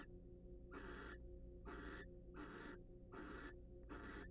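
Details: Wild barn owls in a nest box during preening and courtship; five loud, noisy screechy hisses about half a second long, repeated a little faster than once a second, with low hum behind.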